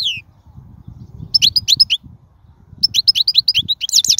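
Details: Wild European goldfinch song used to teach chicks to sing: a downward slurred note, then two bursts of quick, bright twittering notes with a brief pause between, over faint low rumbling.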